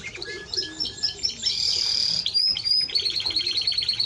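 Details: Timbrado Español canary singing, opening with softer chips, swelling into a long buzzy sustained note, then a brisk series of repeated high notes.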